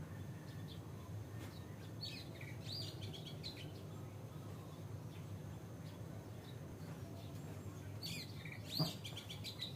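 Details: Oriental Magpie-Robin singing in the morning as a wake-up sound. Two bursts of varied, sharp, high chirps and whistled notes come near the start and the end, over steady low rumbling background noise.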